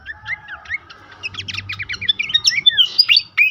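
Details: Horsfield's babbler singing, used to make caged birds active and vocal: soft whistles at first, then an accelerating rattle of repeated notes leading into bright, tumbling whistled phrases.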